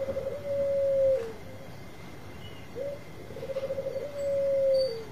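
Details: Bangkok-type zebra dove, kept as a loud singer to lure other doves into answering, gives soft stuttering coos that roll into a long, smooth, low drawn-out note, repeated twice with a pause, over a faint steady background hum.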